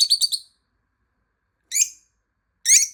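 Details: Pet lovebird calling while hidden, located by its voice: a quick burst of four shrill, high chirps, then two separate sharp squawks after a pause. Indoors, no other sounds.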